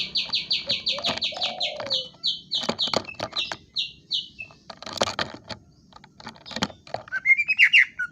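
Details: Greater green leafbird giving a rapid series of down-slurred chips with a soft lower warble beneath, then scattered clicks and knocks, ending on a bright rising whistled phrase.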